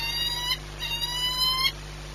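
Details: At Orlen in Płock on 22 March 2021 at 14:39, the ringed Peregrine falcon 8BS gives two nasal, overtone-laden calls, each slowly rising and about three-quarters of a second long, separated by a short gap, over a faint hum.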